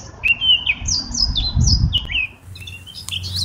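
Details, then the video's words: Clear, loud whistled phrase from a Eurasian blackcap, a series of descending fluty notes repeated in quick succession, over low background rumble. "Mönchsgrasmücke Gesang und Rufe"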